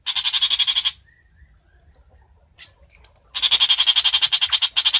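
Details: Long-tailed shrike (Chàng Làng) calling the flock together: two loud, harsh, churring bursts of quick rasping pulses, the second longer than a second and a half, separated by near silence and a faint tick.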